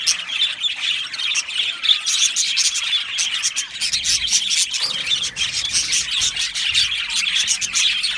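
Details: Many budgerigars in an aviary, described as happy, give dense, continuous high chirping and chattering with overlapping twitters throughout, a busy colony chorus.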